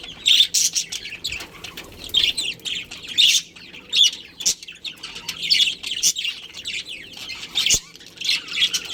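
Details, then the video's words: Budgerigar colony with a breeding pair, chirping in scattered high buzzy notes and short warbling phrases, louder calls punctuating softer chatter over nine seconds. "Cute Budgies Chirping Sounds"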